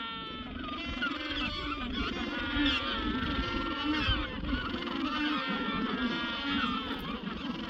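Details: Penguin chick colony at Cabo Vírgenes, Santa Cruz, Argentina, where most birds are chicks crying for food as parents forage. A dense continuous chorus of overlapping harsh, braying, warbling cries throughout.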